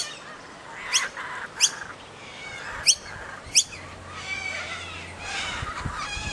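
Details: Young kookaburra making its presence known while a kookaburra family is fed: four sharp, harsh squawks at uneven intervals, about one a second, then a softer rasping chatter over faint background noise.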